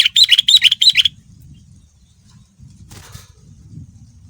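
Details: A male sooty-headed bulbul sings a lure to prompt other bulbuls, one loud second-long burst of rapid bright chirps, followed by a brief rustle and low background rumble.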